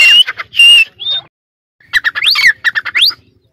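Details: A hand-raised Sindh dakhni teetar (francolin) sitting on its cage gives loud, harsh squawking bursts, then after a short pause a rapid run of grating notes broken by two sharp rising whistles.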